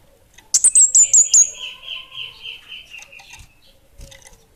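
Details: Lively song of an orange-headed thrush of the 'Bunga Api Kecil' type: six rapid, piercing high whistled notes, followed by a long, slowly falling buzzy trill that fades over about two seconds.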